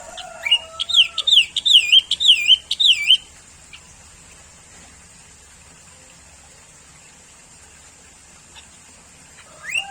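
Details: Song of a sooty-headed bulbul: a quick bubbly burst of repeated slurred, wavering notes lasting about three seconds, introduced by a lower liquid note, then quiet, with a fresh rising note at the very end.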